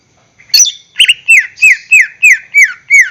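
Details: Greater green leafbird singing, a lure recording to make caged birds sing: after a short rising squeal, a run of eight loud, clear downslurred whistles, each dropping sharply, repeated about every third of a second.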